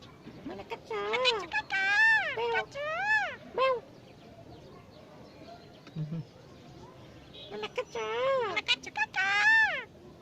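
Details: Talking jungle myna mimicking a human voice. Two clusters of harmonic, word-like syllables rise and fall, separated by a few seconds of near silence.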